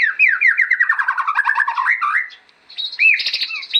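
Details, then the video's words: Gacor white-rumped shama for master song training: a fast descending cascade of warbled notes, a brief pause, then high rising whistles and chatter. "MACAM-MACAM SUARA BURUNG MURAI BATU GACOR UNTUK MASTERAN"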